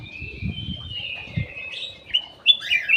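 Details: Ruby-throated bulbul (cucak emas) kept in an aviary, singing as a lure: a long, drawn whistle sliding down, then quick, bright rising notes at the end, with low thuds underneath.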